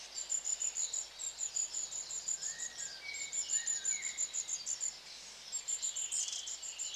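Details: Long-tailed tits give high, thin, rapidly repeated notes in near-continuous strings, with a few lower slurred chirps partway through and a steady background hiss.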